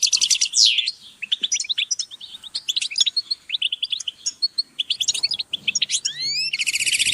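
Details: Group calls of European goldfinches for motivating birds: busy chattering twitter of clipped notes, opening and closing with loud buzzy trills and a few upward-sweeping whistles near the end.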